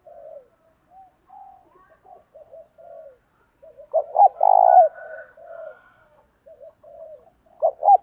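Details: Spotted doves, male and female, heard in a recording used to stimulate decoy birds. Faint low coos lead to a loud phrase of two short notes and a long rolling coo. A further pair of sharp notes ends the sequence.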